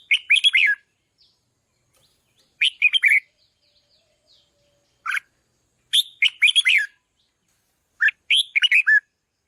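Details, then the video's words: Red-whiskered bulbul song, kept as a decoy bird and trained to sing loudly: short bright chattering phrases of warbled, slurred notes, each phrase under a second, repeated about every two to three seconds in clean silence. "นกปรอดหัวโขนร้องเพราะที่สุด | ฝึกเสียงให้ร้องดัง | กระตุ้นนกต่อให้ฮึกเหิม"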